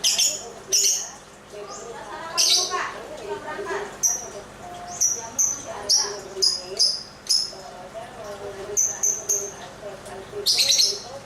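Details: Lovebird singing while dancing: shrill, sharp chirps and squawky bursts repeat irregularly throughout, with lower chattering, harmonic warbles in between and a faint voice-like murmur.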